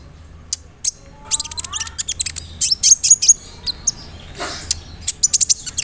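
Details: Sunbird song called kolibri ninja 'roll nembak', filled with imitations and meant to prompt birds to sing: dense bursts of piercing high chips and squeaks, a brief rising whistle run, and a short hiss midway.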